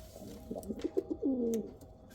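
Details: A short pigeon coo from Kal Cheeni or Rampuri birds: a few clipped notes, then a longer smooth falling coo, with faint clicks behind.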